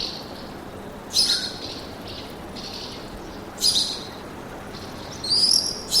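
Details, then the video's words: Forest birds heard as three separate bright, high chirp bursts a couple of seconds apart, the last one a slightly longer trill, over soft hiss. "Пение птиц в лесу"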